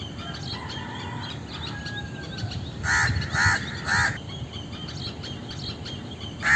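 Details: Indian crow giving three harsh, raspy caws in quick succession mid-clip and a fourth at the end, over a background of faint chirping from other small birds.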